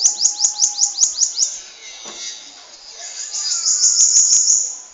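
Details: Bananaquit kept in Natal, Brazil, with a long song: opens with quick high sharp notes in a rapid row, then a softer hissing stretch, and a dense high trill rising again near the end.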